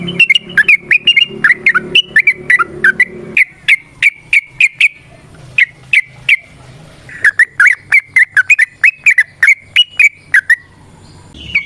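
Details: Long run of yellow-vented bulbul song in a fast, varied chattering style, played to stir other bulbuls into singing: sharp whistled notes delivered in quick bursts with short gaps, over a faint low hum early on.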